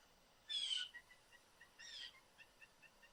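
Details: A family of blue jays in a yard tree, Southern Ontario, Canada. Two harsh, rasping calls come about a second apart, with soft, short chirps repeated in between.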